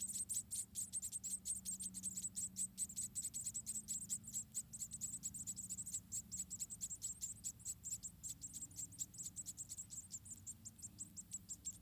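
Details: Nest of about four munia babies, Indonesia, fed in turn by the mother bird: dense, insistent stream of shrill high-pitched cheeps, almost continuous, steady in loudness, over faint low rumbling.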